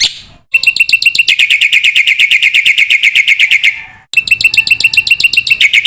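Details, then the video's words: Black-winged myna in full song, recorded as masteran training material for young cage birds: rapid, piercing chirps in a long, buzzy run, a short break, then a higher repeated series. "masteran jalak putih gacor full isian pancingan jitu burung jalak muda"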